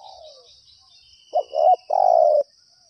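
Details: Lured spotted dove calling persistently: a soft falling note, then a quick hoarse coo pair ending in one long, slightly falling coo.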